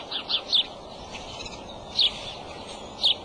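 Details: Calling from the nest on March 23 at 2:26 pm, the male bald eagle gives a quick burst of three high chips, then two more single piercing notes about a second apart, over steady background hiss.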